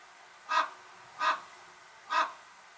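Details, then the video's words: Three short hoarse croaks from a common raven, evenly spaced under a second apart, rough and mid-pitched, with a faint steady hiss behind them. "The sound of the largest songbird in the world"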